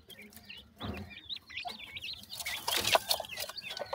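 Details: Yellow partridge chicks being fed, begging with rapid, wavering high chirps and short upslurred peeps in an uneven run, with scattered clicks and brief broadband rustles.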